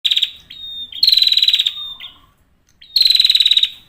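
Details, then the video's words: Male prinia singing actively. Two bursts of rapid, buzzy, pulsed high notes about 0.7 seconds each, joined by a thin steady whistle and a soft lower trailing note. No other sounds stand out. "Prenjak atas jantan gacor"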